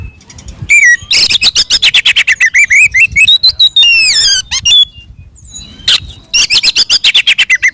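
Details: Oriental magpie-robin fighting song meant to provoke rivals: sustained rapid chattering notes with slurred descending whistles, a short pause, then more fast repeated chips.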